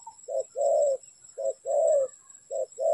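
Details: Spotted dove at a trapping site, three paired coos, each a clipped low note followed by a longer, gently falling hoot, evenly spaced.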